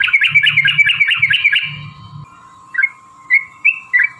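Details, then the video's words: Yellow-vented bulbul fighting song used to draw other bulbuls into singing: a fast bubbly phrase for two seconds, then a few separate short rising chirps, with a faint thumping noise and steady hum. "trucukan gacor TARUNG ROPEL PANJANG pancingan trucukan agar bunyi"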